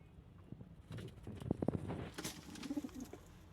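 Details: Domestic pigeons, kept birds: a short, low cooing phrase near the end, preceded by sharp clicks and fluttering bursts over a low background rumble.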